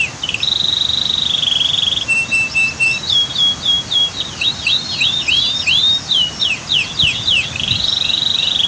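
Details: Canary tutoring song over steady waterfall roar: a long, high, even trill, a lower flat trill, then quick high slurred and zigzag notes, ending with the bright high trill again.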